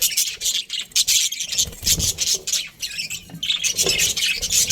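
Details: Australian budgerigar breeding pair chirping in dense, scratchy high bursts with short pauses, a soft low thud beneath.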